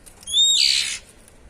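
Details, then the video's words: Oriental magpie-robin (kacer) uttering a 'cier' call: a thin whistle breaking into a loud, hissing, rasping burst of under a second, over faint background noise. "Cier..cier..suara burung kacer ngeplong efektif membantu kacer bahan jadi bunyi!"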